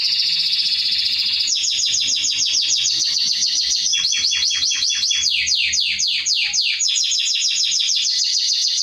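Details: Canary singing, a training piece for young birds: a held buzzy trill gives way to rapid clipped chips, a brief pure tone, then swift descending notes repeated many times per second.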